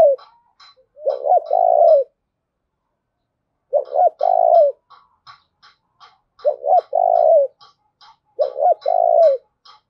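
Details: Spotted dove acting as a decoy and urging fighting: four mellow cooing phrases spaced a few seconds apart, each a broken double note then a rounded longer coo, with light clicks throughout.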